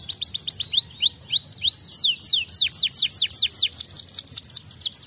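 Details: Canary song made of quick repeated swooping notes, each sliding down steeply, delivered in a steady series of about two per second after a short faster start.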